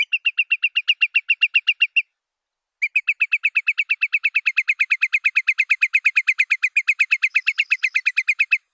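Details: Curlew giving a long, fast rippling run of sharp, even piping notes, broken once by a brief pause and then resuming steadily for several seconds; a clean recording with no background noise.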